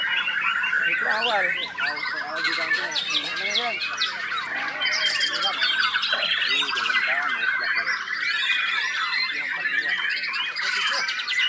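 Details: White-rumped shama, a kept songbird: a dense, unbroken stream of rich whistles, harsh squawks and quick chattering phrases, the notes tumbling over one another almost without pause.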